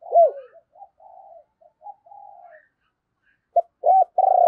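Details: Caged decoy spotted dove cooing to call in wild doves: a strong opening hoot, then a run of softer, low mellow coos, a pause, and a closing burst of loud, rounded coo notes.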